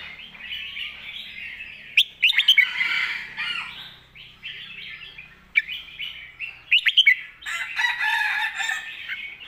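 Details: Red-whiskered bulbul in the "sumnuan thong" master-song style, giving dense, overlapping warbled phrases with sharp whistled accents, broken by short pauses, against a faint low hum.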